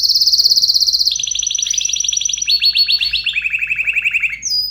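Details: Agitated canary in full song, moving through fast rolling trills that step downward in pitch, from a high buzzy roll to lower rapid pulsed phrases, loud and continuous.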